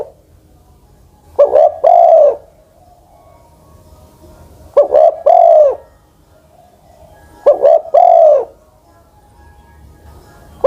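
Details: Old decoy Spotted Dove over ten years old, ground decoy: three low cooing phrases, each a short double note then a long mellow descending coo, repeated roughly every three seconds in a quiet setting.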